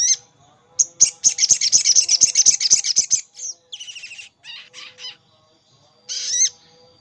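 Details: Sogon calling a rival as a lure for wild birds: a fast rattling chatter of about four notes a second, then buzzy rasping phrases and a final harsh descending squawk.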